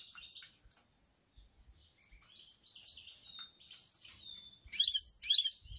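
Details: European goldfinch singing on 7 March 2021, fairly quiet: scattered thin twitters and short whistled notes, building to two louder, harsh buzzy bursts near the end.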